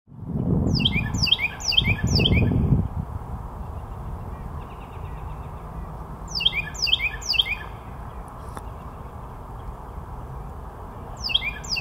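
A Carolina wren sings loud, rolling bursts of about four quickly repeated ringing phrases.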